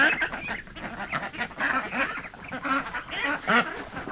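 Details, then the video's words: Domestic ducks on a homestead being herded toward a neighbor's pond, giving short nasal quacks in uneven bursts roughly every half second, with a person calling out nearby. "So, the ducks have quieted down. That means they're happy."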